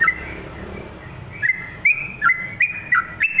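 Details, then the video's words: Lively sooty-headed bulbul song starting after a brief quiet stretch, then clear stepped whistled notes, each slurring down and up, about three per second. "SUARA TRUCUKAN GACOR"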